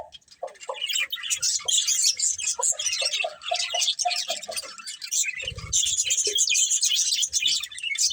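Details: Breeding pair of budgies chattering: dense, rapid, high warbling chirps with scratchy notes, interrupted by a few lower, softer tones and a brief low rumble.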